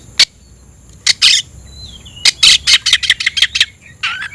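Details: Oriental magpie-robin calling out a rival to fight, sharp isolated clicks and a thin sliding whistle leading into a quick string of harsh scratchy notes and a closing buzzy phrase.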